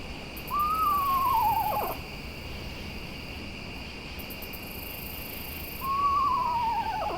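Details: Eastern Screech-Owls at night, pairs or more whinnying to each other at a distance to communicate; two clear quavering whinnies slowly falling in pitch, about five seconds apart, over a faint insect drone.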